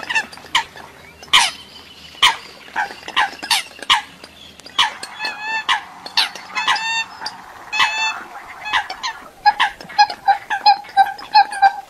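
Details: Calling Eurasian coots from a foreign recording: a long series of clipped, honking notes, some with short upward-sliding whistles. A steady, softer tone and rapid chatter fill the final seconds.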